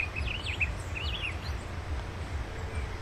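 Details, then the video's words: Fawn-breasted tanager in the wild giving two short bursts of high, wavering, slurred notes near the start, followed by quiet, with constant low-pitched background rumble throughout. "SANHAÇO FRADE NA NATUREZA"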